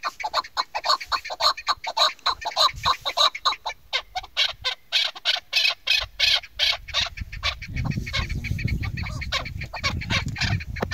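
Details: A female chukar partridge, used as a hunting call bird, gives rapid, harsh clucking notes, about three to four a second, in a steady run, with low rumbling noise toward the end.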